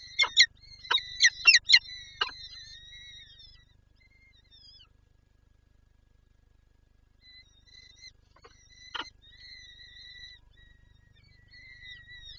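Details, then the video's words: At a Lublin nest in Poland, 23 April 2024, a female peregrine falcon eager to feed her chicks. A rapid cluster of six harsh, clipped calls is followed by quieter whining and one more sharp call around nine seconds. "Sokół- Lublin- Wrotka chce nakarmić dzieci"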